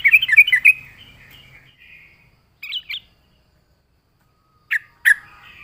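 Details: Yellow-vented bulbul (trucuk) in lively full song, a recording used as a lure for birds: a rapid burst of bubbly, chortling notes. After a pause come two short, sharp, liquid phrases, then two more separated notes, over faint low background hum.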